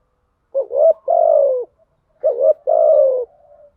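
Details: Spotted dove decoy, a female used to lure wild doves, cooing twice: each phrase a brief wavering double note then a long, steady, gently falling coo, trailing off into a faint low hum.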